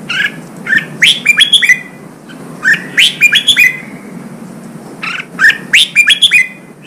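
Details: Newly caught red-whiskered bulbul in training for contest singing, giving three lively bursts of song, each a quick run of bright chirps and whistled slurs, separated by pauses of about a second.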